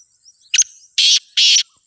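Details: Black francolin (kala teetar), a wild bird in Pakistan: a short clicking note, then two loud, rasping, broadband notes about a third of a second apart, with a faint high insect-like hum behind.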